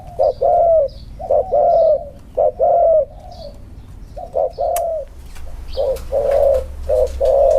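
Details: Spotted doves, two birds placed together for a comparison of cooing style; paired hollow coos, a brief note then a longer falling one, repeated steadily, with a few clicks and light handling noise toward the end.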